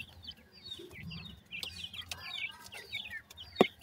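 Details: A brood of grey francolin chicks calling to their mother with high, slurred cheeps repeated in quick succession. Scattered knocks and one loud sharp click come near the end.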